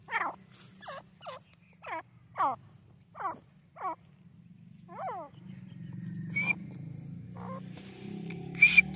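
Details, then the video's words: Grey francolin calling in a rapid run of descending, harmonically rich notes spaced under a second apart, then fading into broadband noise with a couple of brief high whistles near the end. "Grey Francolin Sound New Video | Francolin Calling | Grey Francolin Voice | Teetar Ki Awaz"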